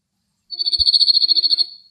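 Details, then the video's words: Male Cirl Bunting singing from a rock in Greek countryside on a cloudy, windy day: one dry, rattling trill of about twenty fast identical notes, lasting just over a second, then silence. "Σιρλοτσίχλονο Κελάηδημα σε Βράχο - Male Cirl Bunting Bird Singing"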